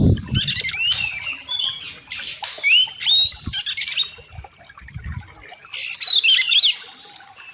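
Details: Oriental magpie-robin (kacer) master song for training birds with a wild river setting: flowing series of slurred whistles and scratchy notes, a pause, then a loud harsh burst with whistles; a low thump at the start.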